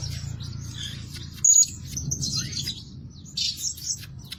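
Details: A lure bird, the blue-crowned hanging parrot, said to call day and night, makes one clear high whistle followed by buzzy, chattering chirps over a steady low rumble.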